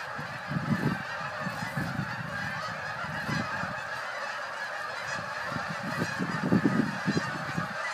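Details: Autumn flock of Canada geese in Northern Illinois honking repeatedly. Many overlapping, nasal honks come in bursts, louder near the start and again toward the end, over constant background hiss.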